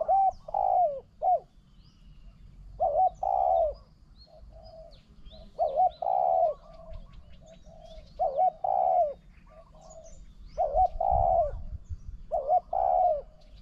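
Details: Repeated cooing between a decoy spotted dove and a wild bird that coos very well. Phrases of three mellow notes come about every two to three seconds, with a fainter bird answering between them.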